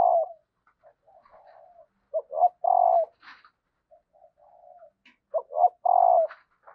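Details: {'caption': 'Spotted dove hen calling to prompt males to coo: a throaty coo sequence of quick notes leading into a sustained, slightly descending coo, with soft murmuring notes between phrases and faint higher chirps.'}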